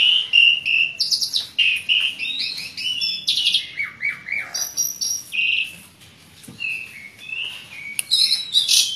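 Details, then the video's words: Asian pied starling in lively, full song packed with varied fill-in phrases, used to coax reluctant starlings into singing; a dense, near-continuous stream of high whistles, squeaky slurred notes and rapid chatter with only brief pauses. "jalak suren gacor ngoceh banyak isian"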